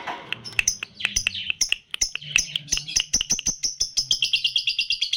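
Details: Lutino lovebird, red-eyed and three months old, utters scattered sharp high chirps and clicks that quicken into a fast run of repeated tweets, sung in the tight-pause style.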